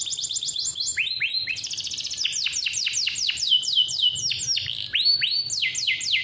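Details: Male canary from a bird farm singing a long, persistent roll, used as a tutor recording for young canaries learning to sing; rapid trills of sweeping notes, falling slurs and buzzy rattles, high-pitched and continuous, with faint low background hum.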